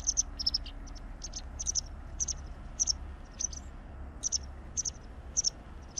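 A white wagtail gives sharp, high chirps, often in quick pairs, scattered irregularly over a steady low rumble of background noise.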